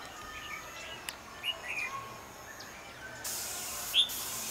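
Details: Red-whiskered bulbul delivering a fighting song to a decoy bird during a trapping session, 12 January 2016. Scattered short, sharp whistled notes, then a loud burst of broadband noise near the end with one clear chirp.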